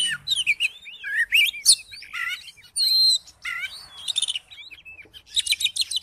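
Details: Oriental magpie-robin (kacer) singing as a lure to make another bird sing: energetic varied song of swooping whistles, rasping buzzes and rapid high trills, with brief pauses between phrases.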